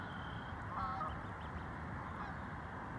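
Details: Geese on the Fox River at Elgin, Illinois, in 2022: one short honk with a bent, harmonic tone stands out briefly over steady rushing water noise, with faint thin high calls from other birds nearby.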